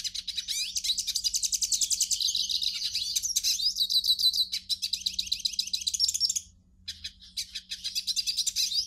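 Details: Song of a hooded siskin, meant to warm up a pet siskin: fast, high, scratchy twittering with buzzy trilled phrases for six seconds, a brief silence, then renewed quick chirping notes.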